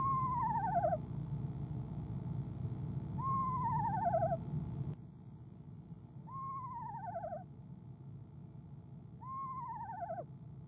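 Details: Female eastern screech owl on a nest-box camera, trilling in the evening of 25 January 2015 around 6 pm before leaving. Four quavering, descending whinny-like trills, about three seconds apart, over a steady low hum.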